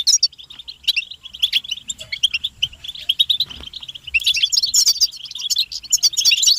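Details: Twittering European goldfinches, described as the strongest motivational calls to make a goldfinch sing nonstop; rapid, even chirping that grows denser and louder in the final seconds with sharp jingling trills.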